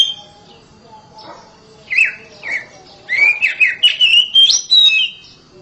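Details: Captive oriental magpie-robin kept at home sings loud: two slurred whistles after a quiet start, then a lively rapid series of swooping, ringing whistled notes that climbs in pitch.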